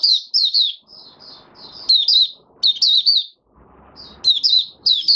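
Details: Captive oriental white-eye singing its opening song, fifth day after a monthly deworming: bright, high-pitched warbled phrases of slurred chirps in clusters, with soft low background rumble between bursts.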